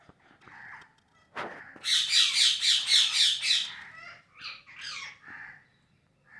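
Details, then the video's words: Parrot at play on August 26, 2023, giving a few soft scratchy notes, then a sharp crack and a fast run of about seven loud, harsh, evenly pulsed squawks, followed by shorter rasping chatter and falling screechy notes. "Natural sound of parrot"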